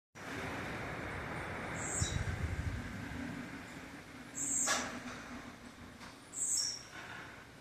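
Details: Blue-black grassquit giving its campainha-style song: three short, bright, very high buzzy bursts spaced about two seconds apart, over a steady low rumble and background hiss.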